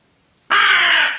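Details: Crow angered by the sight of wild bird feathers gives a single loud, harsh, hoarse caw lasting about three quarters of a second after a brief quiet moment.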